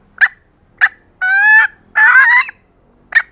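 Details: Female green junglefowl calling to draw males: two short sharp notes, then two longer nasal, harmonic calls of about half a second each, and a final clipped note.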